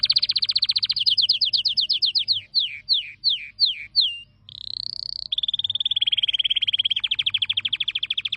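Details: Canary song: a fast trill breaking into spaced descending whistles, a short sustained tone, then a long rapid rolling trill.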